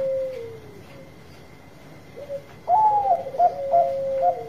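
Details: Zebra dove of the Bangkok strain in full song: a falling coo, then after a pause a loud burst of overlapping cooing notes with short rapid trills, set against a thin steady electronic-sounding tone.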